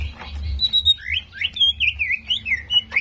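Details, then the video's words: Greater green leafbird song for raising other birds' aggression: a lively sequence of rising and falling whistled slurs, each note distinct, with a soft low rumble beneath. "PANCINGAN CEPAT MENAIKAN EMOSI CUCAK IJO"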